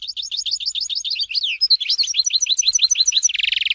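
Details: European goldfinch in Tizi Ouzou singing a continuous, fast run of bright, liquid twittering notes, many repeated several times per second, ending in a short buzzy trill.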